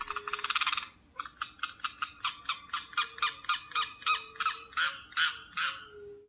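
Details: Limpkin (carão), a wetland bird of lake edges and ponds in São Miguel do Iguaçu, Paraná, Brazil, gives one long harsh note, then a loud run of about fifteen nasal, rasping calls at roughly three per second.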